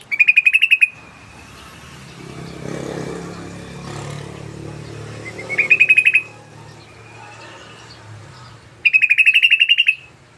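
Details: Rapid 'ropel' chatter used as a sooty-headed bulbul lure call: three bursts of quick, sharp repeated notes, the middle one short and rising. Between bursts there is a low rumbling background, possibly traffic.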